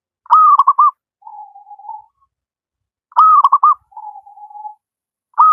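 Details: Zebra dove, local wild bird, repeating its song: a bright held note with fast stuttered notes, then a softer, longer low coo, the pair given about every three seconds.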